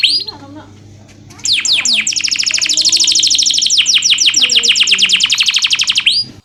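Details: A canary, offered as a master song for canaries reluctant to sing, bursts after a quiet second into a long, dense, high trill of rapidly repeated notes lasting about five seconds, ending with a short rising whistle.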